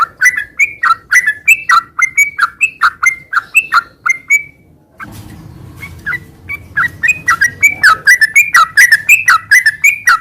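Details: Non-stop ngeropel-style 'gacor' singing of a sooty-headed bulbul, used to get moulting birds singing again: rapid chains of bubbly two-part notes, a brief break near the middle with faint low hum, then the chain resumes.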